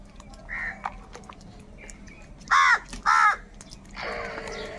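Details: Loud caws from crows fighting for food, two strong harsh back-to-back calls after a softer note, followed by a rougher rasping burst over low background murmur.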